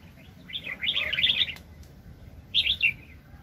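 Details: Red-whiskered bulbul used as a very aggressive decoy in bird trapping, 2020: a lively warbled phrase of bubbling, slurred whistles lasting about a second, then a shorter answering burst after a pause.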